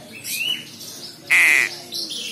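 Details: A very clever crow chick lets out one loud, flat, grating caw after a soft rising squeal, against a quiet indoor background.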